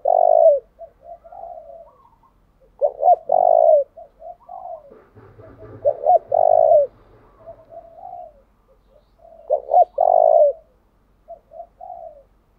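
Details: Caged decoy spotted dove cooing persistently to draw in wild doves, switching song patterns: strong low coos in short-long pairs, interspersed with quieter gurgling notes, phrases recurring roughly every three seconds, with a brief low rumbling noise midway.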